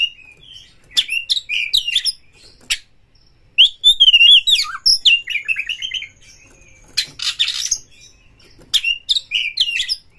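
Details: White-rumped shama in a cage, provoked toward a rival and showing off its repertoire: bursts of jumbled whistles, chattering and rasping notes, each burst followed by a brief silence.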